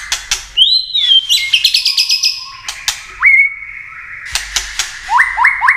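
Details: White-rumped shama with flicking tail, clicking and singing to excite contest birds: a few dry clicks, a long glided whistle, quick trilled high notes, then a series of short upswept whistles.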